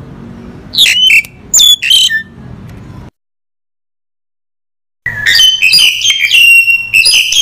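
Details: Crested myna (Acridotheres cristatellus) song: a jumble of shrill whistles, squeaky sweeps and harsh chattering notes, broken by a two-second silence before a louder, busier burst.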